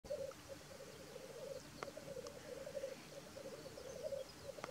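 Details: Black grouse at a lek in North Wales on 12 May 2023: a steady, low bubbling coo rolls on almost without pause, broken by a few sharp hissing sneezes.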